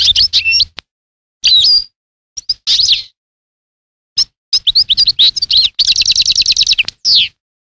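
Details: European goldfinch song of sharp liquid chirps and twitters in short bursts, building into a rapid trill of repeated notes and ending on a falling slur.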